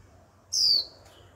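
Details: Young captive female Japanese white-eye giving a lone 'chíu' call meant to trigger male singing. One clear, sharply descending high whistle, followed by a faint echoing trace.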